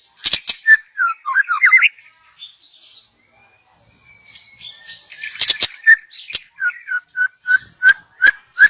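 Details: Young wild white-rumped shama in forest, song for luring birds; slurred whistles rising in quick steps, a quiet pause, then sharp clicks and a steady series of short repeated whistles roughly every third of a second.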